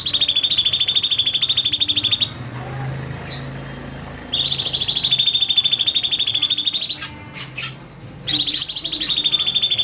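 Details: Master recording of a cucak cungkok bulbul for training other birds, 'nembak' style: three bursts of fast, rattling, high buzzy trill, each two to three seconds long, broken by quieter gaps with soft clicks.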